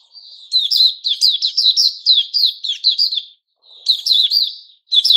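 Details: White-crowned shama in new feathers: a soft whistled lead-in rises into a fast, strong string of clipped, bubbling notes for about three seconds. After a short silence comes another whistled start and a closing loud burst.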